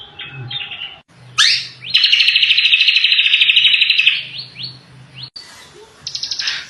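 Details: Greater green leafbird singing energetically: bright high whistled phrases, then a long rapid buzzy trill of evenly repeated notes lasting about two seconds, followed by rising slurred notes and a final high chattering burst, with a faint low hum beneath.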